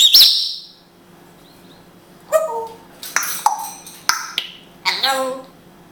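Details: An Israeli Grey African parrot talks in Hebrew. A high squeaky opening is followed by a run of clipped, voice-like syllables with buzzy harmonics, delivered in quick uneven bursts.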